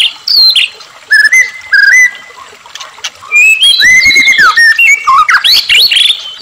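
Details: White-rumped shama song used as a prompt for captive birds, with clear stepped whistles, then a dense stretch of tumbling, slurred notes, with splashing water mixed in.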